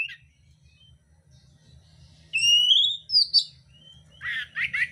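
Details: Oriental magpie-robin, a fighting-contest singer, gives a long clear upward-sweeping whistle followed by a burst of harsh scratchy notes, after a quiet stretch with steady low background hum.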